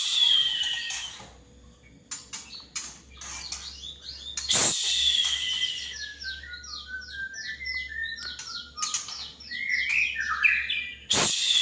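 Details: Male white-rumped shama singing a lure song meant to draw other shamas into song: varied clear whistled phrases, with fast descending and sweeping notes and high chattering trills, broken by several loud broadband bursts of handling noise.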